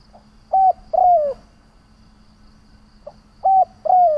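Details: Lure calling of a decoy spotted dove meant to provoke rivals: a quiet pip, a flat coo and a longer downslurred coo, repeated once about three seconds later, with a low steady hum underneath.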